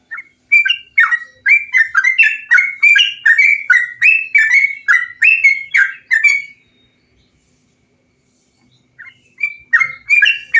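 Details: Bulbul song used as a training and lure recording to make kept birds sing: a rapid series of bubbly, warbled phrases around mid pitch, over two per second for six seconds, then a pause and renewed chattering.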